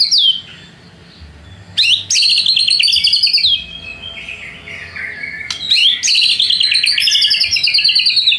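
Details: White-rumped shama singing as a lure to draw rival birds into song: two bursts of fast, high, rattling warble, each trailing off into lower slurred notes.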